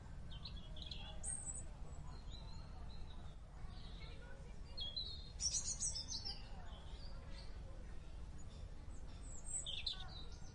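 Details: Wild bulbuls give short, bright chirps and quick whistled notes scattered through the clip over a steady low rumble of wind or distant noise.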